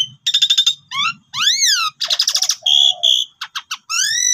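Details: Pied myna in full varied song, used as a lure to get other birds singing: rapid stuttered notes, a rising-falling whistled arc, buzzy rattles and a low smooth whistle, with brief pauses between phrases.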